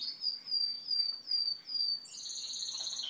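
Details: Timbrado canary: clear descending whistled notes repeated about every half second, then a switch to a quick bubbling high trill.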